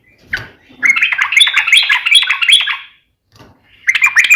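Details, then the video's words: Trucukan, or sooty-headed bulbul, kept as a songbird, singing a long jumbled phrase of rapid bubbling, chattering notes for about two seconds, pausing, then starting another burst. "KICAU SUARA trucukan gacor NEMBAK ROPEL NGEPLONG"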